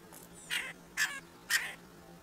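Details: Two red-breasted woodpeckers at a squirrel feeder; three short, harsh, buzzy notes about half a second apart stand out over a quiet background with a faint steady hum.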